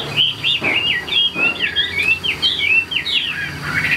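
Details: Chinese hwamei in captivity singing rich, looping whistled phrases that swoop up and down, closely spaced, over a low hum.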